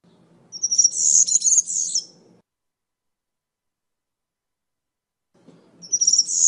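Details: European serin singing two short bursts of very high, rapid jangling twitters about four seconds apart, with a faint low hum underneath each burst.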